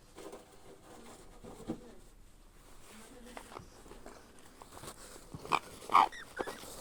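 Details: A grey parrot hatchling being cared for and fed makes soft, grunting begging sounds that end in a few louder, rasping squeaks, with quiet room noise behind.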